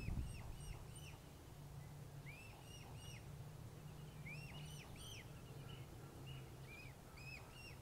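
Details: Mute swan cygnet calling for its absent mother and siblings while with its father, Plymouth, Massachusetts, 21 June 2020. Repeated clear, arched, whistled peeps in quick groups of two to four throughout, over a steady low hum.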